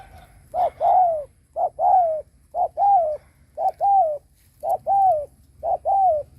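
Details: Spotted dove, a ground decoy bird cooing strongly to lure wild doves: a short note followed by a longer falling coo near 700, paired phrases repeated about once a second, steady and loud, faint low hum beneath.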